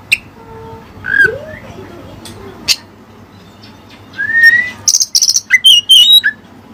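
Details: Oriental magpie-robin trained with Cililin song material: quiet opening with scattered soft whistles, then a long rising whistle followed by quick high rattles and sliding notes.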